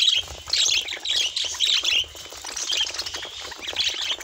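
A budgerigar chatters in fast, scratchy warbles and chirps, high and busy, in repeated bursts.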